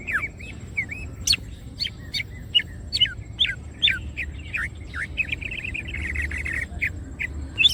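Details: Green cucak, a greater green leafbird, singing gacor masteran material with open wings: curling whistles punctuated by sharp very high snaps roughly every half second, ending in a fast run of rolling warbled notes, over low hum.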